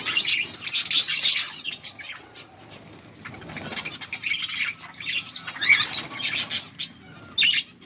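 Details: Budgerigar breeding pair, described as making a mating call, giving bursts of scratchy, buzzy chirps and chattering with short quiet gaps, plus some wing flapping.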